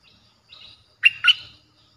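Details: A streak-eared bulbul song played to lure wild birds: a soft buzzy phrase, then two loud, slurred, liquid notes close together.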